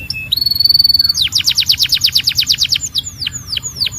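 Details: Singing Belgian canary: a low note rising into a long even whistle, then a quick regular series of sharp falling chips that slows into a few widely spaced downslurs.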